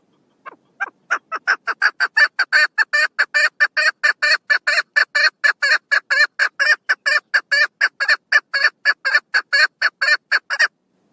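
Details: A female chukar partridge calls on 1 June 2022: a long, steady string of loud, rasping chuck notes, evenly spaced and quick, rising in strength early on and continuing for about ten seconds before stopping.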